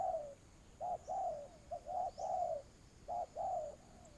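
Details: Spotted dove serving as a ground trapping lure, calling in low mellow coos: a long falling note, then short and long paired coos repeated steadily, a quiet hiss behind.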